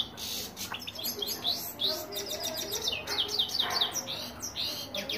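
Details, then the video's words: Rolling song of a European goldfinch: a continuous, rapid stream of high, liquid twitters and slurred whistles, lively and unbroken from start to finish. "Goldfinch rolling and singing on over self"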